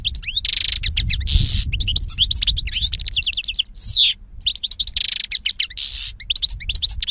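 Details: Long goldfinch song of continuous rapid twittering, repeated buzzy wheezes and quick trilled runs, with low background rumble early on.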